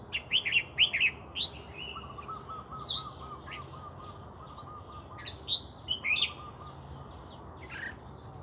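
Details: Red-whiskered bulbul, trapped and calling actively, giving bright clustered whistled chirps in quick bursts with pauses, while a lower rapid pulsing trill from another bird runs underneath, over steady high background hum.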